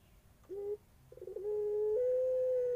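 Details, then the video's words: Barbary dove of the pelung type, cooing in terasan style: a short low coo, a brief pause, then a long, drawn-out, steady hum that steps slightly higher midway and holds to the end, with a quiet background. "HANYA PUTER PELUNG TERASAN"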